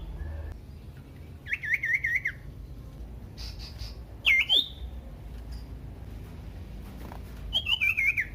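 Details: Short bursts of wavering Common iora song, used to lure other ioras, separated by long quiet gaps with faint background hum and a single sharp swoop in the middle.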